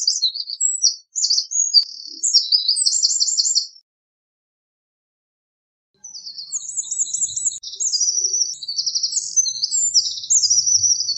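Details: Two loud, high-pitched songs from a Eurasian wren, each a rapid jumble of sharp chips and fast trills, separated by a two-second pause.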